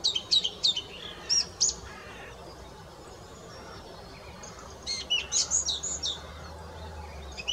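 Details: Song thrush song in two bursts: first a string of shrill, squeaky notes, then a quiet pause, then a rapid run of about six similar high notes repeated in quick succession against soft background noise.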